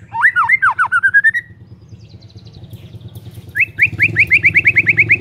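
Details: Energetic white-rumped shama song meant to provoke quiet shamas into singing: a quick series of looping whistles, a softer pause, then a fast accelerating string of bright rising notes over a rumbling background.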